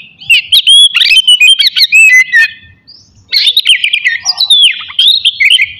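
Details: Oriental magpie-robin morning song used to provoke aggression and breeding urge in others; two loud bursts of fast varied whistles, chatters and sliding notes with a short pause between.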